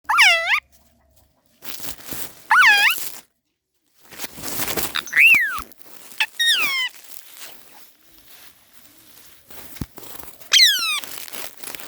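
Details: Parrot laughing "haa haa ha": a series of harmonic, squawky calls, each rising then falling, sometimes in quick wavering bursts, separated by pauses of one to two seconds over a quiet background.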